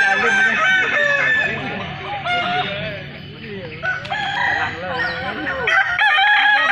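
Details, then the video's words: Overlapping crows from many Balenggek roosters at a festival in Kota Solok, mixing long harmonic notes with runs of short stepped syllables, and some faint background voices. "festival ayam kukuak balenggek"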